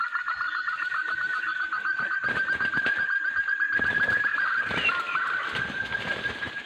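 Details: Trapped male Sumatran partridge from Sumatran forest calling loudly: quick repeated whistled notes at a steady mid pitch, partly masked by broadband rustling and clattering noise.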